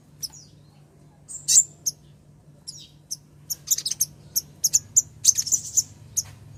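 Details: A female ruby-cheeked sunbird calls for the male, recorded as a lure. Scattered thin, very high chips and short twitters start sparsely, then quicken into a denser run of notes near the end. A low hum runs underneath.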